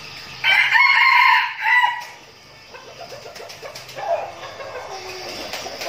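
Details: Red junglefowl decoy birds kept for training, Bình Phước, Vietnam: one loud, clipped crow of about one and a half seconds, then quieter clucking and a softer call from other birds.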